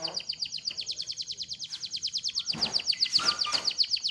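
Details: Loper canary in long rolling song used for training other birds: a continuous fast trill of high repeated notes, about four per second or faster, holding steady throughout with slight buzzy breaks.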